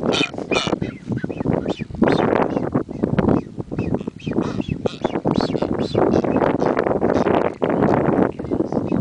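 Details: Blue-footed boobies on Isla de la Plata, Ecuador, during display dances, give harsh honking and grunting calls in rapid overlapping bursts, with thin whistles mixed in throughout.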